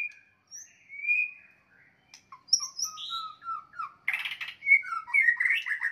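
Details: White-rumped shama fighting song meant to agitate rival birds. Spaced, clear whistled notes at varying pitches build into a harsh, broadband rasp and then quick, loud whistled flourishes.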